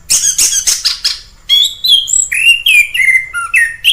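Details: Wild orange-headed thrush singing: a burst of harsh, rapid scratchy notes, then a varied run of clear whistled phrases sliding down and up, each short and separated by brief gaps.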